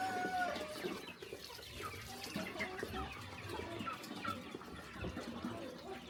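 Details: Chickens during a quiet morning feed on a small country farm, dense rapid clucking from many birds with a couple of higher squealing notes early on.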